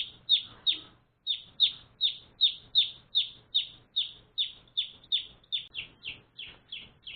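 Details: Day-old domestic chicks, recently adopted as pets, calling with about twenty quick descending peeps, a short gap near the start, and softer notes as the series continues.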